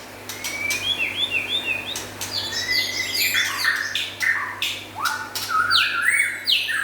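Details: Song of the White-rumped shama, local and forest birds: dense bursts of high chattering notes, sliding whistles and stepped phrases in quick succession, over a faint hum.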